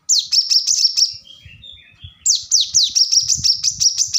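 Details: Plain-throated sunbird, called kolibri kelapa or korlap, in a lively song used as a tutor recording for cage birds: rapid high, thin, sharply descending notes run together in fast trills, with a short pause midway before the trilling resumes.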